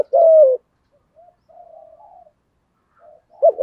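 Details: Spotted dove of 'giọng thổ' voice: one long, deep coo falling at its end, followed by faint soft murmurs and the start of a new phrase at the close.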